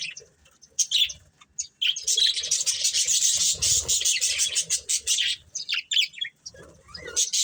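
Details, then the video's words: Colourful budgerigar breeding pair chirping: scattered high tweets swelling into a continuous chattering warble in the middle, then trailing off into separate chirps. "Colourful Budgies Chirping Sounds"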